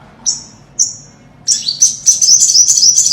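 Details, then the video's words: Olive-backed (ornate) sunbird singing: two thin, high sweeping notes, then a rapid run of sharp, high-pitched twittering chips. "Tiếng chim Hút mật 5 màu chuẩn mp3 | Ornate Sunbird | Olive-backed Sunbird | นกกินปลีอกเหลือง"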